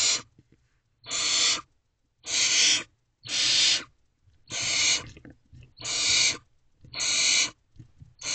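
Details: Five barn owl owlets in a nest box at 3:27 am, 12 May 2023, during a food delivery by the male; a regular series of eight harsh, hissing screeches, each around half a second, in a quiet box.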